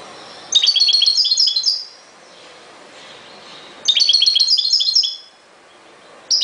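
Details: European goldfinch singing ghoroub-style song: rapid high twittering phrases of about one and a half seconds, repeated after a pause of roughly two seconds, bright and metallic.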